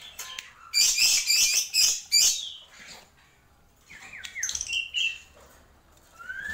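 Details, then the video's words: Black-winged myna giving a burst of harsh, scratchy squawks, then a few clear whistled notes, some rising and some falling. "Tembakan Jalak Pito"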